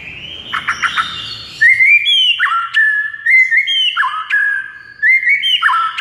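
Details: White-rumped shama (murai batu) delivering a chain of clear whistled phrases, each a bright note that drops and then holds, repeated in a stepping pattern after a few soft, scratchy notes at the start.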